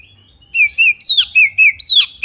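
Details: Female Oriental magpie-robin calling to lure other magpie-robins into singing and shrieking; seven loud, rich slurred notes, mostly level then dipping, a few sweeping downward from higher pitch, given in quick succession after brief silence.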